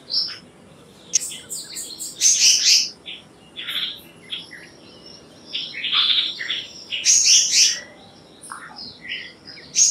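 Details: Black-naped monarch with irregular bursts of harsh, high, buzzing notes mixed with brief sharp chirps and thin whistles, separated by short pauses.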